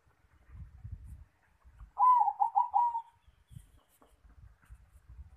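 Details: Perkutut, the zebra dove, cooing at the nest: one loud phrase of quick low throbbing pulses that fades into a longer final note, with soft low thumps before and after.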